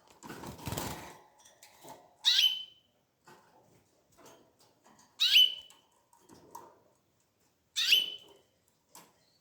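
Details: Canary chicks giving three short, bright, harsh calls, each a sharp rising burst ending in a thin whistled tail, spaced about three seconds apart; a rustling, flapping burst opens the recording, with faint clicks between calls.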